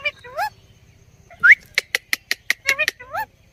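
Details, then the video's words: Indian ringneck (rose-ringed) parakeet talking and dancing on a table, giving rising squawky syllables, then a quick run of about eight sharp clicking notes, ending in another upward-sliding squawk. "Parrot Talking"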